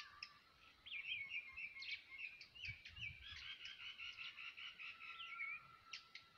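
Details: A shrike delivering a rapid, jumbled run of scratchy warbled notes for about five seconds, with a thin steady tone held beneath and a few sharp clicks at the start and end.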